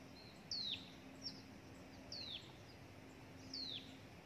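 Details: Hill prinia young, whose parent brought a gecko and a grasshopper, leaving the chick near death. Three high, descending whistled squeals about 1.5 seconds apart, with a brief quieter note in between and a low hum in the background.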